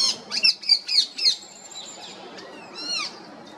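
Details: Female rose-ringed parakeet chirping naturally: a quick run of five loud, harsh, up-and-down squawks, then a thinner drawn-out note and one last falling screech against faint background hiss.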